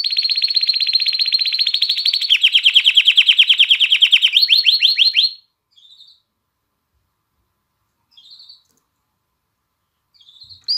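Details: Canary song that is supposed to excite females toward mating and spur chicks to sing: five seconds of dense, loud, rolling trill that speeds into rising sweeps, followed by quiet gaps with a few faint short notes.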